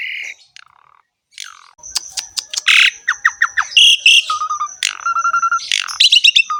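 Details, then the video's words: Asian pied starling singing vigorously with a rich, varied repertoire: harsh buzzy notes, short rapid clicking bursts and flat whistled phrases, with a brief pause early on and a thin steady high tone running behind. "KICAUAN BURUNG JALAK SUREN GACOR FULL ISIAN MEWAH"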